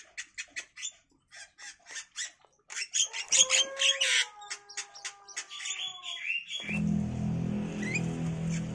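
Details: Javan myna chicks, five days old, in a nest box as free-flying parents bring grasshoppers and caterpillars; harsh, raspy begging bursts repeat rapidly for about six seconds with a thin whistled tone over them, then a low engine-like hum takes over.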